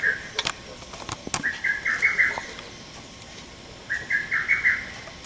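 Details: Sharp voice of a male lesser cuckoo, recorded 30 May 2017: a hurried string of five or six staccato notes heard twice, preceded by a few loud clicks or knocks at the start.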